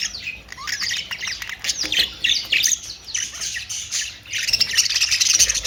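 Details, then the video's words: Several budgerigars squawk and warble nonstop, with rapid scratchy notes and short sliding chirps building into a loud final burst of chatter. "Austrailian perrot beautiful sound"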